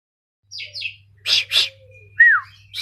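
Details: Oriental magpie-robin, a champion bird from Pati, let loose to fly as if in the wild: short downslurred whistles, two harsh noisy bursts, then a clear falling whistle, with a low steady hum beneath.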